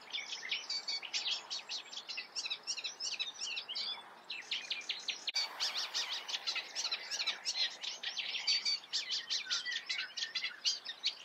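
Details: Steady song of a Eurasian reed warbler, an unbroken churring chatter of clicky, grating notes repeated in small groups; a brief knock interrupts near the middle.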